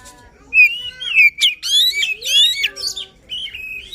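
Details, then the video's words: Emotional singing by a White-rumped shama, played to encourage a reluctant shama to sing: clear whistles sliding up and down, interspersed with short harsh bursts and rippling trills, phrases separated by brief gaps. "Kacer Gacor Full Emosi, cocok untuk mendongkrak Kacer yang malas bunyi."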